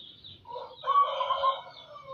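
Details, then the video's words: Local-strain zebra dove in full song: a burring, rolling coo phrase of about a second and a half. Faint higher chirps from other birds sound above it. "burung perkutut lokal gacor"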